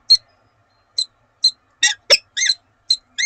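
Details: Peregrine falcon pair at Oudenaarde, Belgium, exchanging calls one morning on 7 March 2020: thin squeaky chips and a few louder harsh notes, widely spaced with short silences between.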